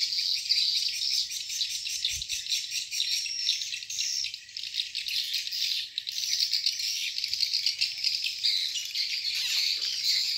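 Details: Swiftlets at a swiftlet farm in Borneo; a dense, continuous wash of high twittering chirps pulses and overlaps for the whole stretch, with only a few soft low knocks beneath.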